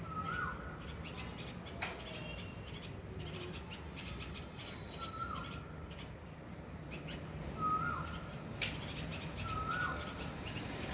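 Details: Small bulbuls in a tree give short, liquid whistled notes every few seconds, each with a quick downward slur, over a steady low rumble and a few sharp clicks.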